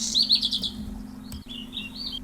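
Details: A Black Redstart sings its brief, rapid, unmusical song, a quick burst of high, scratchy twittering, then a thinner, fluttering phrase at the end, over a low steady hum.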